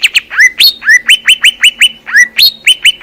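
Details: Greater green leafbird from Indonesia in full song, recorded in nature: crisp whistled notes that swoop down then level off, delivered in a quick, regular series of about four per second.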